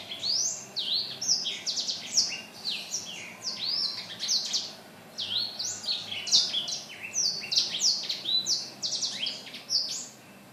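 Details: Black-throated laughingthrush recorded on Thursday, 15 December 2016, in lively song: a rapid, varied run of clear, high whistled notes that sweep up and down, delivered in dense bursts with brief pauses, against quiet background.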